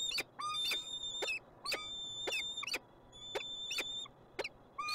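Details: Peregrine falcon calling in Montreal, Canada: sharp, piercing, harsh notes with a ringing tone, delivered in an uneven series roughly every half second, against a low constant hum.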